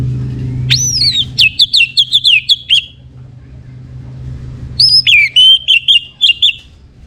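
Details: Orange-headed thrush, morning song used to stimulate birds into breeding condition and lively singing: two clear whistled phrases, each opening on a high downslurred note and followed by a string of quick repeated notes, separated by a pause.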